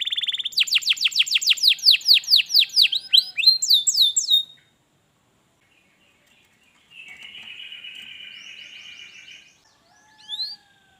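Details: Canary song played to stir a lazy canary into song: a buzzy note, then a fast run of descending whistled sweeps for about four seconds, silence, a long buzzy trill and one rising whistle.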